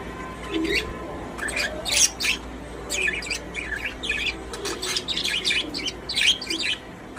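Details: Happy pet budgies in their cage give quick clusters of bright chirps and buzzy warbles, rising and falling in short bursts with brief pauses between them.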